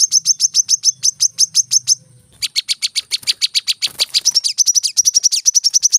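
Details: Brown-throated sunbird in dense rapid-fire song, a fast train of sharp, high notes with a short break, then faster, slightly varied chips toward the end.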